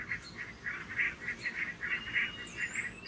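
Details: Barnacle geese grazing but on full alert with two red foxes approaching: short yapping honks, about three or four each second in an uneven series, over a soft background hiss.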